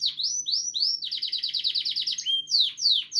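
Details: Pet canary, said to be happy and healthy, singing: a few sweeping whistled notes lead into a fast rolling trill, ending with sharp descending slurred notes, all high-pitched and continuous.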